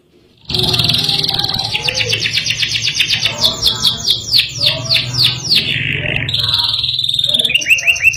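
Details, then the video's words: Caged canary in rolling, sharp-shot ngerol nembak song. After a brief pause it bursts into sustained high buzzy notes, then long series of rapid falling trill notes and quick repeated chips. A steady low hum runs beneath. "KENARI GACOR NGEROL NEMBAK | CANARY SINGING"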